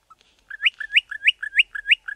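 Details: Bokmakierie (Telophorus zeylonus) pair duetting in Southern Africa: a fast run of six ringing two-part 'bok-ma-kierie' phrases, a lower note sliding up into a bright whistle, about three per second.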